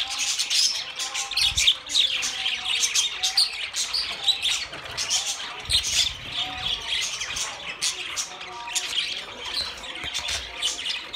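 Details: Many budgerigars twitter continuously, a dense stream of thin chirps, raspy warbles and quick squeaks, with occasional soft low thuds.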